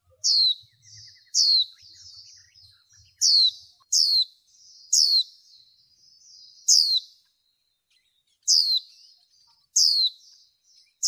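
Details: White-eye female used in training to excite male birds, giving nine sharp, high, downward-sweeping notes at irregular intervals over eleven seconds, with quiet chatter between them and faint low thumps early on.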